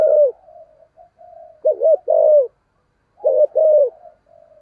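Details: Spotted dove decoy singing in the 'thổ' voice to draw in wild birds: two deep cooing phrases, each a short doubled note followed by a sustained falling coo, with faint murmuring between.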